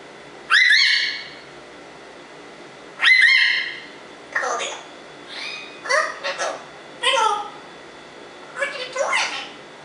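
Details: African Congo grey parrot, a pet, talking: loud bright voice-like syllables with upward inflections, opening with two emphatic calls then a run of shorter chattering word-like bursts, quiet room.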